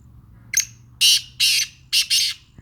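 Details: Deep-voiced Sindhi black francolin calling at close range. A brief sharp lead note is followed by loud, raspy, broadband notes in quick succession, some doubled, over about two seconds. The background is quiet with a low hum.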